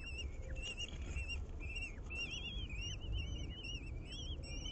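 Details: {'caption': 'Urban nest of common kestrels in a planter on the ninth floor of a building in Aguadulce, Almería, while the female feeds a swift to the chicks. Quick chirping calls come in rapid series, some sweeping upward, over constant low noise.'}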